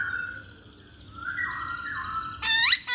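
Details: Masked laughingthrush song as a lure for males: a steady wavering whistle drifting lower, then a sudden loud harsh chattering burst near the end.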